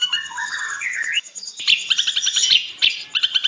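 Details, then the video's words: Ashy drongo song used as a training recording for cage birds: slurred whistles falling and rising at the start, then a burst of harsh, rapid chattering notes with short pauses between runs. "MASTERAN SRIGUNTING ABU ABU GACOR"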